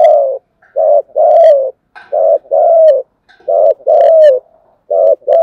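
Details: Spotted dove in continuous 'thúc gù' cooing: loud, deep, hollow coo pairs, short then long and slightly descending, repeating about every 1.4 seconds. Brief thin clicks are heard between phrases.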